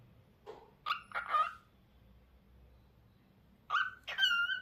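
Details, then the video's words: Lutino cockatiel calling in two clusters of raspy, ringing notes with rich overtones, the last note drawn out and whistled, with silence between clusters. "Cockatiel Lutino Bird Daily Tunes"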